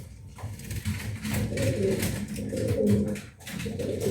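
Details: Mating pet pigeons indoors: a steady, low, rolling coo that swells and fades over several seconds, with some background clatter.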